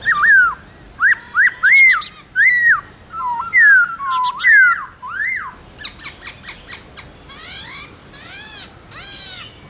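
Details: Morning contest song of a Black-throated laughingthrush in wild-style voice, played to train captive birds: loud looping whistled notes in a rapid series, then a run of shorter, fainter, higher chattering notes.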